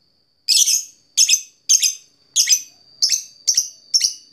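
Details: Fighter lovebird calling to an opponent: loud, harsh, buzzy chirps spaced roughly half a second apart, each a short rasping squeal, with a faint steady high tone running underneath.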